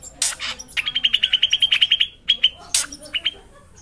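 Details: Energetic drongo song with a long rolling run: a rasping note, then a fast, even series of about a dozen bright chirps, roughly seven per second, followed by a few scattered chirps and another rasp.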